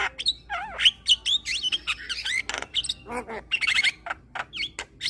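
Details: Javan myna, a captive bird, song offered as therapy for stressed mynas that stopped calling; dense babbling of twisting whistles, chips and raspy notes with almost no pause.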